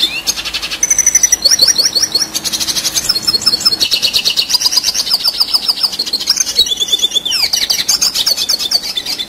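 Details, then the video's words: Red siskin in full song, used as song-training material for competition birds: a long, rapid, unbroken run of high twittering, buzzy trills and sharp chirps. "Red Siskin Gacor Ngerol Durasi Panjang"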